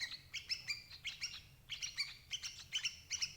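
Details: Lure sounds of a sooty-headed bulbul for trapping parent birds: crisp, high, two-tone chirps in quick pairs and triplets, bright and clean with little background noise.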